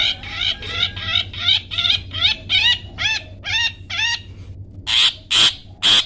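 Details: Long-tailed shrike song used for training pet birds to sing: loud harsh repeated notes, about eleven in six seconds, each a buzzy downward-curving phrase, ending with three broader rasping bursts; faint low hum underneath.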